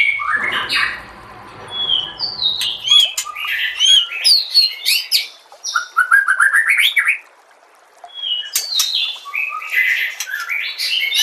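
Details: Masteran compilation of white-rumped shama song: low rumbling background at first, then quick sequences of clear whistled notes and trills, a short silence, and another energetic burst of mixed whistles and chirps.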